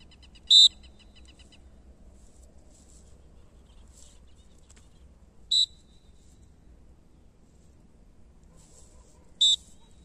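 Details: A captive-bred male aplomado falcon from Brazil, 2020 season, gives three short, sharp, high calls, each with a ringing overtone. They are spaced about five then four seconds apart. Softer chirps sound between them over a quiet low background hum.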